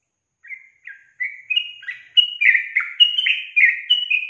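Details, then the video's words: Bulbul female whose loud calling prompts males to answer, heard as a quickening run of warbled, liquid notes, starting with a few spaced chirps and building into a dense, bubbling chatter. "SUARA GACOR TRUCUKAN BETINA YANG BUAT JANTAN NGIKUT NYAUT GACOR"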